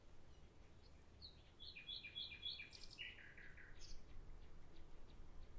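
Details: Common nightingale singing outdoors: a varied phrase of clear whistled notes and short chirps, stepping down from high twitters to lower fluttering notes, over a low rumble of background noise.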